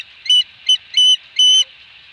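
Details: Osprey calling at the nest at Dunrovin Ranch on 2020-08-22, during a fish delivery: four piercing whistled notes in a quick series, the later ones drawn out longer, with a soft hiss between them.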